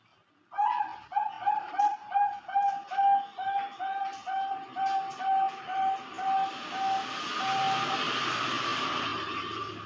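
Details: Female Bangkok zebra dove bought online, kept indoors, cooing a steady run of soft, low hollow notes about two per second that fade into a rising hiss of background noise.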